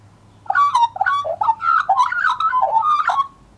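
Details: Australian magpie, a scruffy juvenile in 2014, gives a continuous warble of rolling, fluty and slightly throaty notes that rise and fall in quick succession for about three seconds, with a faint low hum beneath.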